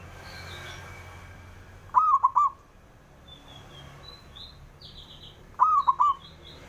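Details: Male zebra dove, local bird, calling so rivals will answer. Two three-note coo phrases come about 3.7 seconds apart, soft and rounded, while small birds twitter faintly at a higher pitch.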